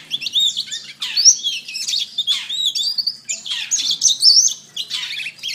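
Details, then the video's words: Canary song meant for training caged birds, best played in the morning or afternoon: fast rolling trills and twittering phrases in dense bursts, with brief breaks between runs. "Masteran Terbaik Kenari"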